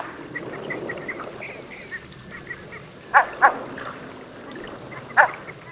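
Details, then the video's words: Red-breasted merganser (Mergus serrator) calling: three short, nasal, honking notes, two close together and a third two seconds later, over faint chatter from other waterbirds. "紅胸秋沙鴨(海秋沙)/Red-breasted Merganser(Mergus serrator)singing"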